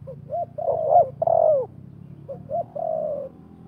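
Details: Wild and decoy spotted doves calling at each other during a trapping session. Two coo phrases made of short hiccup notes that end in a long, falling hoot, over a faint rumbling background.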